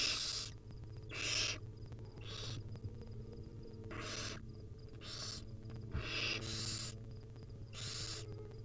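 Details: Hungry wild barn owl nestlings begging while their mother feeds them tiny bits at a nest; repeated harsh hissing screeches, each about half a second, with steady low hum beneath.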